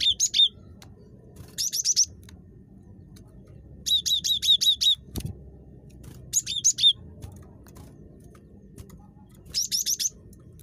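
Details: Very chatty cinereous tit calling, used to lure other tits into calling: short bursts of rapid high, sharp notes, four to seven per burst, repeated every couple of seconds over a low background hum.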